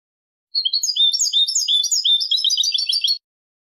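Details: European goldfinch performing Malaga song for chick and hybrid tutoring; a continuous tumbling run of bright liquid twitters and buzzy trills lasting nearly three seconds, with no other sounds.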